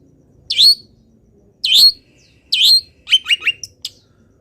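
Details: Long-tailed shrike, a local bird, in full song while moulting and mimicking wild birds: three sharp upslurred whistles about a second apart, then a quick run of short chattering notes and a final high chip.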